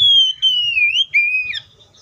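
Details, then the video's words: Oriental magpie-robin singing loud whistled notes that slide down, lift again, then end in a lower whistle with a quick flourish. "THIS COPSYCHUS SAUCARIS BIRD IS POWERFUL TO MAKE YOUR OPPONENT'S EMOTIONS!"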